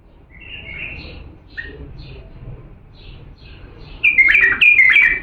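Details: Iraqi Diyala bulbul song for tutoring young birds: a series of short, bright warbled notes spaced irregularly, building to two loud, ringing whistled phrases with rapid slurs at the close.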